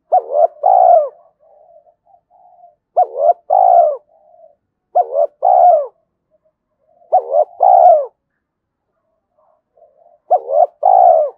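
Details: Decoy spotted dove cooing to summon and challenge wild doves; five regular phrases of two clipped hooked notes and a long rasping coo, roughly every two seconds, soft murmurs between.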